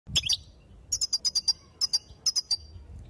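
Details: Female European goldfinch calling to excite males and get them ready to sing: a quick double chirp, then clusters of short, high, tinkling notes in bursts of three to four, with quiet low background hum.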